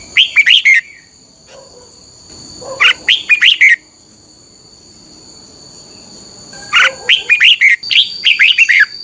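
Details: Red-whiskered bulbul, 'beun' doubled song used to teach caged birds: three bursts of rapid, liquid, descending whistles spaced about three seconds apart, each of four to seven notes, over a thin steady high tone.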